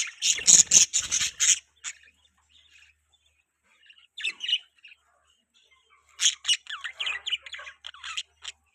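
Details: Budgies giving warbling, chattering chirps in short bursts, a loud scratchy flurry at the start, then softer twittering and a run of varied chirps after a pause.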